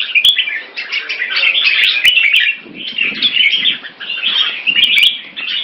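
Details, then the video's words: Red-whiskered bulbuls kept in cages in Singapore, in a rotational sparring display, pour out continuous fast warbling chatter with occasional sharp clicks and a faint low murmur beneath. "Jambul -สิงคโปร์เลี้ยง นกหัวจุก"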